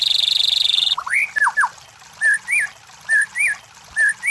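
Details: White-rumped shama song used as a training and lure recording for competition birds: a buzzy high burst opens, then slurred whistles and rising-falling notes repeated about once per second.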